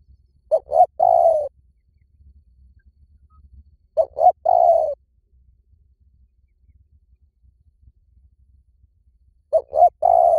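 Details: Spotted dove call played as a lure for decoying wild doves: three low, mellow cooing phrases, each two short quick coos followed by one longer drawn-out coo, with quiet gaps of several seconds between phrases and a faint low hum beneath.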